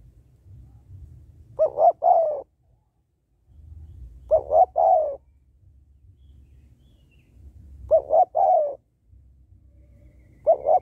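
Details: Female spotted dove calling to stimulate males, cooing steadily: four phrases roughly every three seconds, each two short notes and a longer falling note, with low rumble in the pauses.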